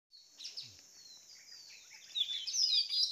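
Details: A bird gives thin, very high chirps and twittering notes in quick succession, louder and busier toward the end, over steady hiss; a lure call to attract other birds.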